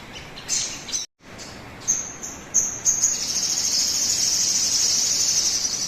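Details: Sogon song played as a lure so birds begin singing fast: a few short high whistled notes separated by gaps and a brief dropout, building into a steady, sustained rapid high trill.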